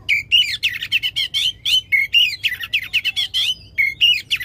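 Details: Loud oriental magpie-robin song, long rapid bursts used to trigger singing in a magpie-robin that has gone quiet: dense chattering stream of whistled notes and buzzy trills, rising and falling, with barely any pause.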